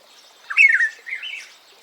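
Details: Ethiopian black-headed oriole giving a brief, harsh, nasal squawking call in two parts, the first louder and falling, the second softer and wavering, in otherwise quiet surroundings.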